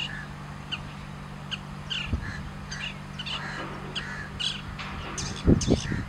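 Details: Long-tailed shrike singing from a perch in grassland: a run of scattered harsh chirps and squeaky notes, with a few dull thumps near the end over a constant low hum.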